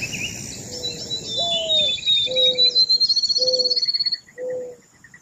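Mourning dove cooing low and soft: a longer rising first note, then three steady hoots about a second apart, over high chirps and trills of other birds and insects.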